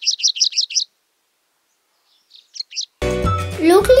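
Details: Grey-breasted (Franklin's) prinia (Prinia hodgsonii) in Sri Lanka, where it occurs everywhere except the high hills, in scrub forest and undergrowth along forest edges and clearings, gives a quick run of five high, buzzy chirps, then a few softer notes.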